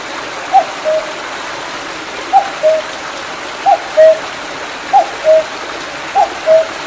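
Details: After rain in July 2019, a cuckoo calls in the hills of Mandeok-dong beside a flowing brook; five paired notes, a short high one dropping to a longer lower one, evenly spaced over continuous water noise.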